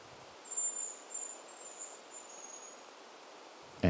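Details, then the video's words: Male hazel grouse in forest in Šumava National Park, Czech Republic, in September, one of two males whistling threateningly at each other, giving the usual mating call: a thin, very high, drawn-out whistle that falls slightly and breaks into short fragments, then a sudden loud thump. "this is the usual Hazel grouse mating call"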